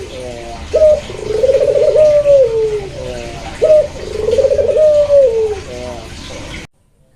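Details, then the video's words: Barbary dove (puter) cooing, a pelung or local variety: a short sharp note followed by a long rolling, trilled coo that falls at the end, given twice about three seconds apart, with faint background hiss. "PERBEDAAN SUARA PUTER PELUNG VS PUTER LOKAL"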